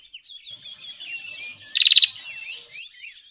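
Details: Bar-winged prinia lure call used for trapping birds: soft high chirps and twitters underneath, then a sudden loud burst of about six rapid, sharp notes lasting a third of a second, followed by faint chattering again.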